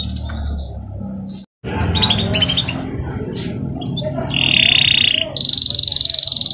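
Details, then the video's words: A young local canary, set out in the morning sun to make it sing louder, gives high, rapid chirps, then a steady whistled trill and a bright, rolling run, with people talking in the background. "RIWIKAN KENARI LOKAL DI PAGI HARI"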